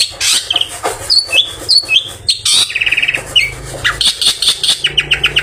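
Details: After its bath, a long-tailed shrike sings in a way fit to draw other shrikes in the afternoon: harsh bursts mixed with short whistled slurs, a fast buzzy trill and closing clipped chirps, with a faint low hum behind.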